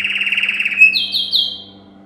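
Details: Male yellow canary singing as a training song for canaries: a steady rapid trill glides into three quick falling chirps, then fades; a soft low hum runs throughout.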